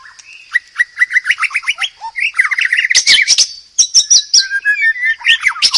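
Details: White-rumped shama, locally murai batu, singing a loud masteran song: a quick series of rising whistled notes, then dense varied phrases with sharp high chips and warbling slurs.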